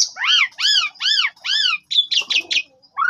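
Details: Black-winged starling song played as a lure to draw a reply: a run of four harsh, arched rasping notes about two per second, then scratchy squeaks and a final rising whistle.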